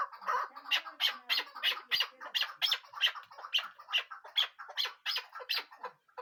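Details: Rapid chukar partridge calls: a steady run of loud, harsh chuck notes, about three per second, bright and raspy, keeping an even pace for the whole stretch.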